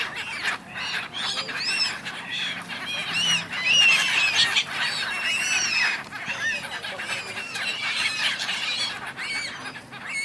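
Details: Many gulls arguing on the River Dnipro in Kyiv, Ukraine, recorded in January: a dense chorus of overlapping harsh, arched squealing calls from a large flock, with steady background noise.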